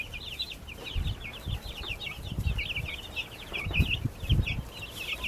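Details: Backyard baby chicks chirping in a busy chorus of rapid high peeps, with low thumps and bumping sounds of movement underneath.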